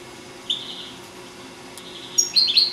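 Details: A four-year-old domestic European goldfinch from Sant Salvador de Guardiola singing: a brief high note, then a burst of quick, bright, liquid twittering near the end; nothing else is heard.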